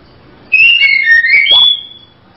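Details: Female white-rumped shama giving a single whistled phrase, sliding down from a high note then rising to a clear sustained whistle, lasting about a second and a half.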